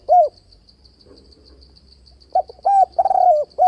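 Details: Spotted dove luring call for trap fighting, with alternating voice and steady bo notes: a lone deep coo, then a pause and a phrase of quick stuttered coos that run into a long, wavering croo. A thin, even high-pitched whine sits underneath.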